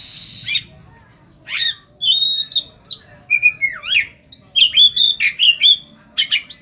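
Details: An oriental magpie-robin song rich in mimicked phrases styled on the cetdet bird: sharp upswept and downswept whistles, a long descending slur and quick repeated chirps in a lively, varied stream.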